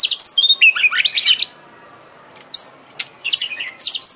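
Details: Oriental magpie-robin (kacer) song used to provoke singing and tail display: quick phrase of sweet whistles and chirps, a silent pause, then scattered high notes resuming.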